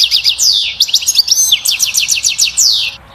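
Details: Dense, rapid goldfinch twittering: the 'batbata' song of a European goldfinch stimulating a female to mate and build a nest, a continuous cascade of high, sliding tinkling notes.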